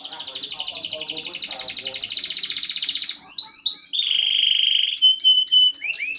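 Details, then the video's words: Canary singing to coax a lazy canary into song: a rapid rolling trill, then quick rising-falling sweeps, a sustained whistled tone, and crisp repeated chip notes near the end. "KENARI BELAJAR BUNYI UNTUK MERANGSANG BUNYI- pancingan kenari malas bunyi"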